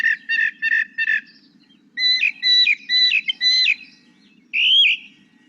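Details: A Northern Mockingbird sings, repeating each phrase more than twice: a rapid phrase four times, then a second phrase several times and a rising whistle, over a low hum.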